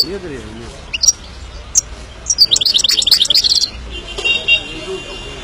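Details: Himalayan goldfinch giving scattered high chirps, then a fast chattering twitter that turns into a buzzy trill, over faint low background noise.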